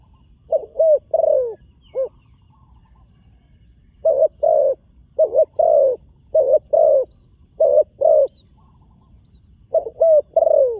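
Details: Spotted dove, a newly trained young bird on its first time at a dirt competition ground, giving low, mellow coo phrases in clusters of three to four notes, with pauses of about two seconds between bursts, against a quiet background.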